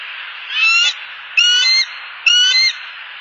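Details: Bald eagle pair in Southwest Florida, October 2015, sounding off from their perch at an intruding eagle passing overhead; three loud, squealing, harmonic calls, each under half a second, spaced about one second apart, with background hiss.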